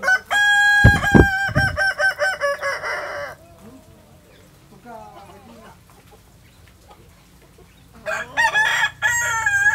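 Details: Kokok Balenggek rooster, a West Sumatran native singer breed kept at a restaurant, crowing in rapid stepped syllables for three seconds with a few sharp clicks, then near quiet before a second tiered crow starts.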